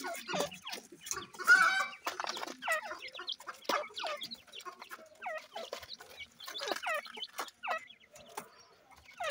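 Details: Captive Deccan francolin with chicks. One brief, harsh, ringing call early on, followed by many thin, downward-slurred chick peeps and soft chirps.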